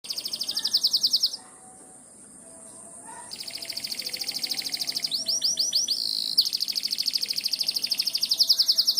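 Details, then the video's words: Canary singing in the morning, said to be calling the rain: fast, high trills of rapidly repeated notes, a short pause, then rolling looped phrases and further rapid trills, with a faint low hum behind. "Nyanyian Pagi Kenari memanggil hujan.."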